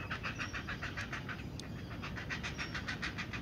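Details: Great Blue Heron chicks at the nest during feeding, with the parent present: rapid, regular pulsed growling bursts, several pulses per second, steady through the recording over low background rumble.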